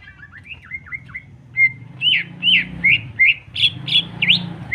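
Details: A greater green leafbird singing jamtrok style, a provocation to stir emotion. Soft dipping whistles over background rumble give way to louder, rising and looping whistled notes, about three per second.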